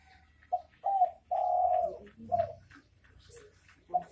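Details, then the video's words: Spotted dove (derkuku) gives its 'bekur bekur' call, a short coo, a double note, then a long steady coo ending in a softer dropping note, with faint clicks behind. "Suara Burung Derkuku Bekur Bekur"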